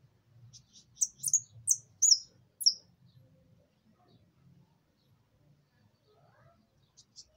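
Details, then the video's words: Mistito singing the 'maquina' song style: a quick run of thin, very high chirps and sliding whistled notes clustered in about two seconds, then near silence with faint low rumble. "Canto de mistito maquinaa"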